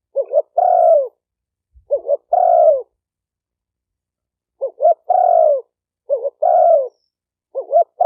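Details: Spotted dove calling in a recording meant to train a newly kept bird: repeated phrases of two clipped notes and a long low descending coo. A faint low thump is heard once between phrases.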